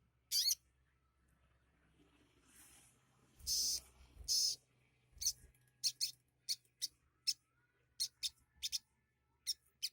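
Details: Sunbird song packed with borrowed phrases of other species like sparrows and prinias, heard as sharp, very high chirps spaced irregularly, sometimes in quick pairs, with a couple of longer buzzy bursts early on.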